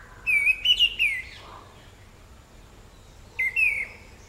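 An Orange-headed Thrush gives a burst of three or four clear, slurred whistles, pauses about two seconds, then whistles a shorter phrase, against a quiet background.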